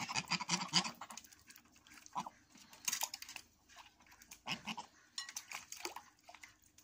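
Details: Geese calling in the evening, a burst of harsh, noisy honks at the start, then scattered single rasping calls spaced a second or two apart, with quieter murmuring between them.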